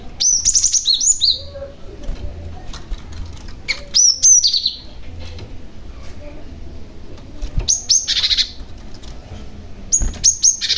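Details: Vocal young male Cinereous Tit calling to lure other tits: short high chirp phrases every three to four seconds, each a few slurred whistled notes, with quiet gaps between.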